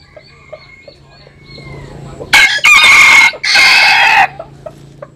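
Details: Bantam rooster of the Jap Cuban type crowing as it sunbathes: faint thin whistles and soft clicks, then a loud raspy crow in three drawn-out bursts lasting about two seconds.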